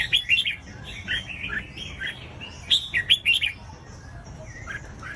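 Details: Red-whiskered bulbul song played to make other bulbuls sing: bright whistled phrases of quick rising and falling notes, delivered in short bursts with pauses, over a faint low background hum.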